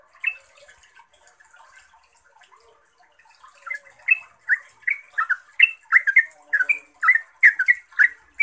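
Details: Yellow-vented bulbul lure song: quiet scattered chirps at first, then from about four seconds a loud, quickening run of bubbly, liquid notes, accompanied by a constant high hiss.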